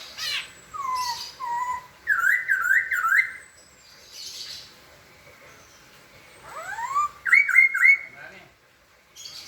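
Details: Song of a white-crested laughingthrush mixing whistled downslurs and fast rising zigzag notes with harsh, noisy bursts and a sweeping upward call, delivered in uneven spurts separated by quiet gaps.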